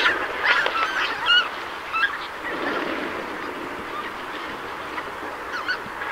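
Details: Greater white-fronted goose, winter visitor, Donggang Township, Taiwan, 19 December 2021. Sharp, high-pitched yelps with rising inflections cluster in the first two seconds, then quieter scattered calls from more geese continue amid background noise.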